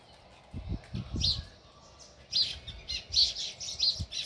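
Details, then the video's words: Sparrow chirping near its nest in a village setting: short, bright chirps in a loose series in the second half, with low thumping noises early on. "Natural Sparrow View | Chirping Sounds"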